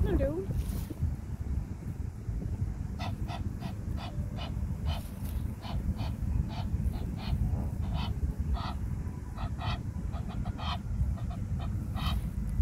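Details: Egyptian goose in a park, one of a pair whose very chatty male keeps calling, gives a long run of harsh, nasal honks, several each second, over a steady low rumble of wind or traffic.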